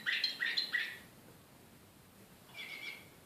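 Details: Canary of the Serbian slavujar song style, Belgrade, 2014, described as excited: three quick bursts of bright chattering notes, then a pause and a short steady trill near the end.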